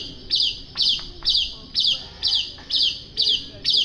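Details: White-rumped shama master song for training other songbirds, here a single harsh, buzzy high note repeated steadily about twice a second, each burst loud and abrupt, with faint low background hum.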